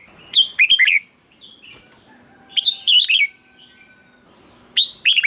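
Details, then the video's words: Red-whiskered bulbul singing, a recording meant to excite caged birds; clusters of liquid, warbled whistles in quick succession, then a pause of about one and a half seconds before the next phrase, faint chirps between. "เสียงนกกรงหัวจุก สำหรับต่อ หรือ เปิดให้นกคึก เสียงเพราะๆ"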